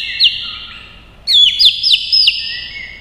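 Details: White-rumped shama, provoked into fighting song with tail-beating and long phrases: a short high whistle, a pause, then a run of four sharp downward-sweeping whistled notes over a steady tone, ending on a lower level whistle.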